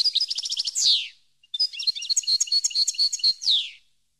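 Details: Rapid, tinkling European goldfinch song for educating captive birds: a ringing trill ending in a falling buzz, a short gap, then a longer run of liquid twitters and bright repeated notes closing with another descending slur.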